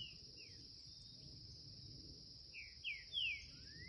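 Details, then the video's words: A large young green-winged saltator of the curricutil song type gives a few short, clear slurred whistles near the end, while a steady, high insect drone runs underneath throughout. "TRINCA-FERRO curricutil FILHOTÃO"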